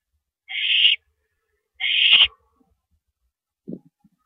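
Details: Owl at a mouse delivery, 13 April 2012 at 9:17 PM: two harsh, raspy hissing screeches in close succession, then a brief low scuffle and soft knocks.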